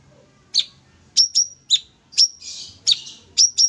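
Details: Sooty-headed bulbul in lively song used for tutoring: spaced, sharp, high whistled chirps, some sliding downward, with one brief hissy buzz among them, on a quiet background.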